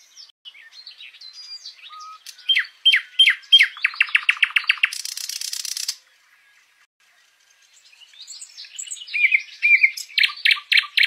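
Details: Common nightingale (Luscinia megarhynchos), song.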